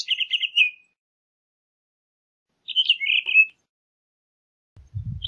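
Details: Townsend's solitaire uttering short, rapid warbled phrases of clipped fluty notes separated by long silences, with a low thump near the end.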